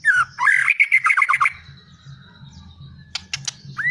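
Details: Brief white-rumped shama phrase of rapid, squeaky chattering notes. A quiet pause follows, then a few sharp clicks and a rising whistle over a low background hum.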